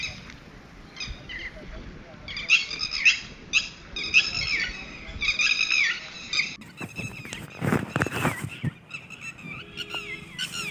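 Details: Red-wattled lapwing babies (Titehari) peeping in rapid high-pitched groups for the first six seconds. Loud broadband rustling and handling noise then takes over and masks the calls.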